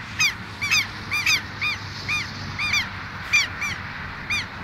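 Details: Pair of southern lapwings calling loudly and boldly near their nest: sharp, harsh, strident nasal notes, single or doubled, scattered irregularly through the clip against a low rumble of background noise.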